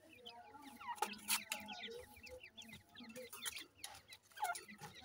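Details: Francolin chicks being raised and fed grain and water: a dense chorus of thin, quick downward chirps and peeps, overlapping continuously, with a few sharp clicks and low hum underneath.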